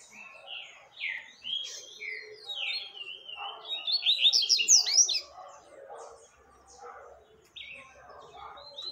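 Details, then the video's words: Double-collared seedeater song, played to teach young birds: quick slurred whistled notes, building into a loud, dense trill in the middle, then softer scattered notes and low chatter. "Papa capim tui tui pra Ensinar filhotes"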